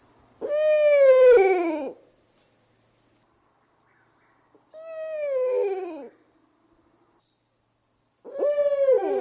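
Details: Owl giving three long, wailing, harmonic calls, each about one and a half seconds, holding level and then sliding downward, repeated roughly every four seconds, over a steady high electronic whine.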